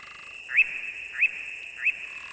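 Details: European nightjar at night after sunset on 29 June in the Hungarian puszta, possibly answering a played recording of its call: three short, sharp rising notes about two-thirds of a second apart, over a steady high hiss of night insects.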